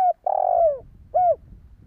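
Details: Spotted dove coos for luring wild doves: a clipped note, a long steady coo sliding down at the end, then one short arched coo, over faint low background rumble.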